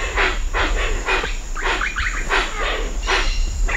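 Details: Hoatzin at Cocha Cashu, Manu, recorded medium-close: a run of harsh, hissing bursts roughly every half second, alongside wingbeats, a continuous high cicada tone and distant birds.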